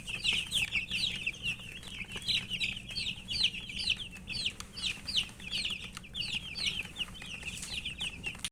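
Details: Thirsty chicks (murgi) seeking drinking water chirp loudly and continuously, many high, slightly rising peeps crowded together in a lively, steady chorus.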